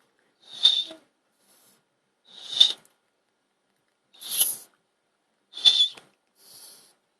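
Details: Female Quaker parrot, a pet guarding her clutch of eggs, chirping because she fears people will harm them. Five harsh, noisy chirps spaced about one and a half seconds apart, the last one softer, with silence between calls.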